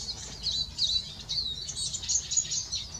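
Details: A male Eurasian siskin sings a fast, continuous twittering of high, thin notes, with brief raspy, buzzy slurs mixed in.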